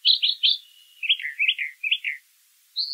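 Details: Song of a brown thrasher: three loud high chirps, then a set of lower downslurred notes given in pairs, a brief pause and a final rising high note.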